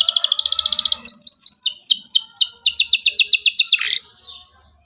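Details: Energetic local canary song used to prompt young birds to sing: fast beaded trill, a sequence of sharp descending high chirps, another rapid trill, then a falling note fading into quiet.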